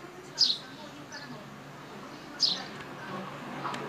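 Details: Sparrows in a small group, recorded with a compact camera: two bright, sharply falling chirps about two seconds apart, with fainter softer chirps between and low background murmur.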